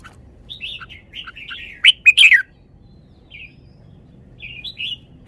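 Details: Red-whiskered bulbul performing its song phrases: gentle warbling whistles building to a loud, rapid trio of sharp chirps, then two short, soft whistled notes after a pause.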